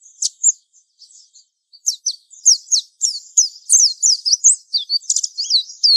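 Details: Young-bird training lure song of a mountain white-eye: isolated sharp high notes, then a lively stream of looping, downslurred whistles and twitters with a brief buzzy trill.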